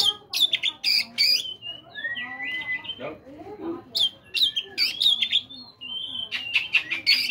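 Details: Oriental magpie-robin morning song, played to prompt caged birds to start singing: bright whistled notes and sliding phrases alternating with sharp, buzzy bursts, delivered in varied, irregular sequences.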